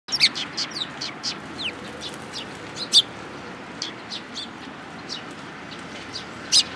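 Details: Several sparrows, one of them tailless, at a Tenmangu shrine on 13 April 2022: sharp, high, short chirps scattered irregularly, some singly and some in quick pairs, over a steady low background hum.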